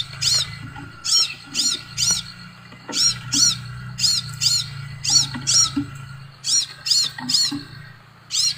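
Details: A string of high, piercing arched notes from a Scarlet sunbird, grouped in pairs and triplets with short pauses, over a soft low hum. Played so that other birds respond.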